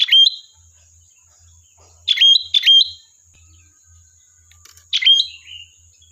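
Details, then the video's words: Lively sooty-headed bulbul singing, meant as a lure to get other bulbuls to respond: four clear whistled phrases, two delivered close together, the last ending in a softer falling trill, against a steady high-pitched whine and faint low humming. "Suara Burung Kutilang Gacor, Pancingan Ampuh dijamin nyaut"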